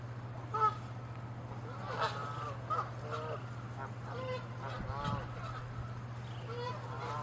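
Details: Canada geese in a territorial squabble: nasal, slightly rising honks repeated irregularly, some clustered in pairs, with a faint thud midway and a continuous low hum underneath.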